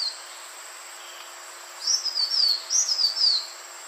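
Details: Lure recording of a green iora: after a quiet start, two quick phrases of high, thin whistled notes, each phrase stepping down in pitch, over a steady faint hiss.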